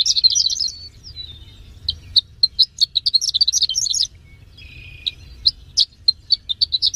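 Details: Horsfield's bush lark, a third-place contest bird, sings a rapid, high twittering song of sharp chirps and trills in two bursts, broken by a brief thin whistle, over a faint low hum.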